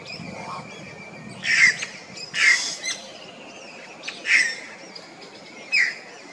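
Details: Yellow-rumped cacique, known locally as xexéu, recorded at Ilha de Comandatuba, Bahia, Brazil, in 2020: five loud, harsh, noisy squawks, each with a ringing note, spaced one to one and a half seconds apart over a steady background hiss.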